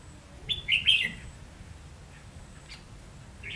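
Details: Decoy red-whiskered bulbul singing to attract wild birds for trapping, 30 May 2016; one brief burst of quick, chattering whistled notes, then quiet with a faint note near the end and low background rumble.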